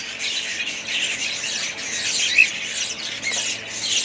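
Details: Budgerigars chatter softly in overlapping squeaks and warbles, with one clear short whistle standing out midway through a steady, slightly muffled twittering.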